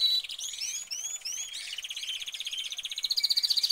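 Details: A caged canary sings a bright, high song: quick upslurred whistles, then rapid buzzy trills that speed up into a fast rattling roll near the end.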